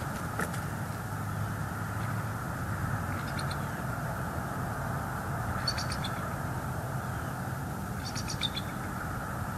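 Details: Male bald eagle at a nest in northeast Florida on 5 November 2023, in the afternoon, calling while flying in and out and watching the skies: three short, high, chittering bursts about 2.5 seconds apart over a steady low rumble.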